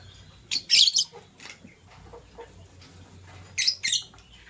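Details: Morning lovebirds with a green bird chirping as a blue one scrambles for vegetables: a cluster of sharp, screechy chirps early on, softer clicks in the middle, then two more harsh squeaks near the end.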